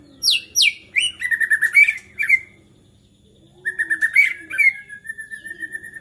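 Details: White-rumped shama singing agitatedly, a song said to provoke other shamas into singing: sharp descending whistles, then buzzy chattering phrases and long steady whistled notes, with a pause midway and a faint steady hum behind.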